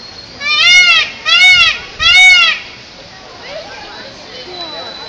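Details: Indian peafowl crying: three loud, harmonic, nasal wails, each about half a second long and spaced roughly 0.7 seconds apart, followed by fainter distant calls and soft background chatter.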